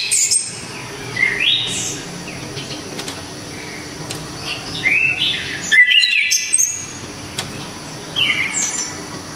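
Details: Anis kembang, the orange-headed thrush of Java, gives scattered short whistled and slurred notes, some rising, others warbled, spaced irregularly, fairly soft against a steady low hum and faint hiss.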